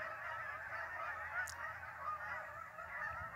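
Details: Short burst of a migrating goose flock at Lake Champlain, New York: countless honks overlap in a steady wall of sound, with a brief sharp click near the middle.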